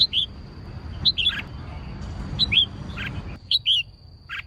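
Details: Red-whiskered bulbul female singing to excite males: short paired whistled notes with gaps, over low background hum and a faint steady high tone.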